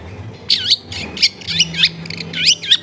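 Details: Long-tailed shrike singing actively, used to coax reluctant shrikes into song, recorded among dense housing: four groups of loud, looping, warbled chirps about every half second, with a low steady hum behind.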